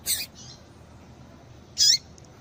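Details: Female double-collared seedeater calling, a call used to stir male seedeaters into singing; two short, sharp, high-pitched chip notes about 1.7 seconds apart, a faint softer note just after the first, over a quiet background.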